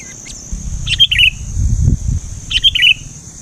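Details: Sooty-headed bulbul (kutilang) giving two short bubbly, chattering phrases about a second and a half apart, each a quick cluster of bright notes falling slightly in pitch, over a steady high insect-like whine and low rumbling background.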